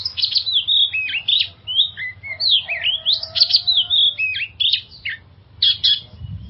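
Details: Varied whistled song of an oriental magpie-robin, offered as a trigger for stressed caged birds; sweeping slurred notes, short rising and falling phrases and scratchy accents, with a soft rumble near the end.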